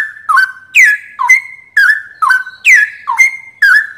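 Straw-headed Bulbul singing loud, rich, liquid whistles: short slurred phrases that dip and rise, about two a second, with no other sounds.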